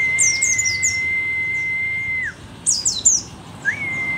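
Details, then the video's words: Rare Merapi-endemic mountain white-eye, pleci dakun, still singing hard in old age: high, thin chirp bursts at the start and near three seconds, against a long steady whistled tone that breaks off, then resumes. "pleci merapi tak kan pernah ingkar janji, tua tua gacor"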